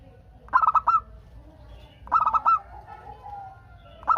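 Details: Local zebra dove singing actively, used to prompt other doves to call back. Two bursts of quick, bubbly staccato coos, four or five notes each, about one and a half seconds apart. A soft steady tone hums in the background.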